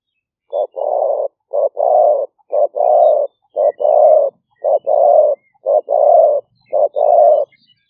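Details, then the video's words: Spotted dove of the 'liu fueang' medium-voice style, recorded live as a trapping lure in rainy-season rice fields at Nong Khu Phai, Roi Et, Thailand, on a smartphone: loud paired coos, a short note then a longer one, roughly once a second. "หลิ่วเฟืองเสียงกลาง#5 ต่อกระโจม เสียงนกเขาใหญ่"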